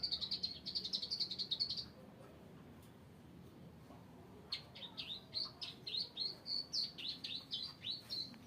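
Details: Bar-winged prinia: a rapid trill of bright, high notes, a pause of nearly three seconds, then a fresh run of sharp, slurred chirps repeated about three times per second.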